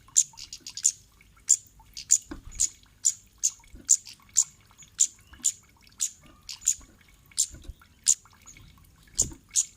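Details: Kemade giving a lure call meant to make other birds answer and sing: sharp, very high, dry chips repeated in quick clusters and pairs, about every half second, over a quiet background with faint low thuds.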